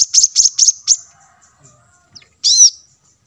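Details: Plain-throated sunbird (kolibri manggar) lure sound: four quick high chips in fast succession, then a pause and one longer, louder arched note.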